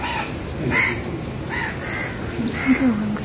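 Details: Begging crow chick, its mother refusing to feed it, while the chick eats and spills its food. Short raspy caws come in quick succession, four within about two seconds, with faint low background murmur.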